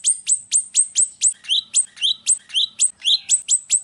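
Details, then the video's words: Golden-bellied gerygone in a relaxed, fast song used as a lure and model for imitation: a fast run of thin, very high whistled notes, about four each second, some dropping to a lower twang. "suara burung RIO-RIO nada santai"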